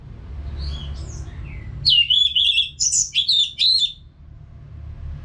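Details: Orange-headed thrush, a caged songbird from Singaraja, North Bali, singing nonstop as a training sound for other caged birds: after faint high notes, a loud run of clear whistled phrases with sharp upward slurs and rapid varied notes, steady low hum beneath.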